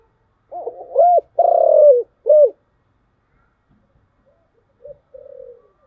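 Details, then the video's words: Cooing of a spotted dove with a thổ chiêu gù voice: one phrase of low hoots with a long, slightly falling middle note and a clipped final coo, then two faint soft coos after a pause. "cu gáy/ cu gáy giọng thổ chiêu gù"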